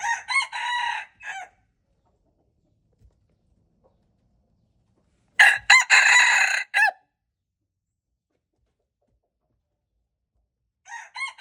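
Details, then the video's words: Repeated crowing of a wild red junglefowl rooster, February 26, 2025: the end of one crow, a loud complete crow of stuttered opening notes, held harsh phrase and clipped ending, then the start of another. "red jungle fowl, txiv lau qaib qus"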